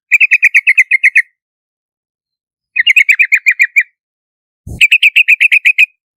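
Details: Yellow-vented bulbul giving three fast bursts of about ten bubbly chirps each, evenly spaced and slightly rising, with a brief low thump before the last burst.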